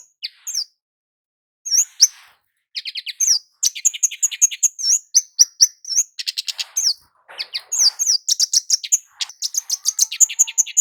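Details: Kemade jawa, the Scarlet-headed Flowerpecker, calling as a lure for males and females: a few isolated high chips and a pause, then a dense, busy stream of sharp ticking notes, some doubled or slurred, continuing to the end.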